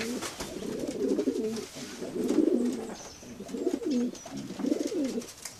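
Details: Pigeons repeat rounded, throaty coo phrases about once every second and a bit, soft and rolling, with light hiss in the background.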